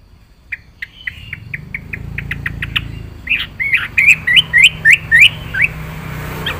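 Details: Yellow-vented bulbul in 'gacor full isian' song style: a row of short, evenly spaced chirps builds into louder, hooked, slurred notes repeated about three per second, over a low rumbling hum.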